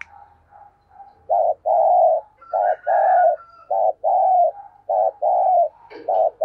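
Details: Lure spotted dove giving its urging call to attract wild doves: a rapid series of loud, low, hollow coos in short and longer pairs, almost without pause, over faint background murmuring.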